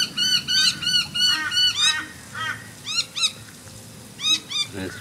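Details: At an urban bird sanctuary in Moorooka, Brisbane, a crow gives harsh, arched caws in quick bursts, a repeated alarm call apparently set off by an aeroplane; crow.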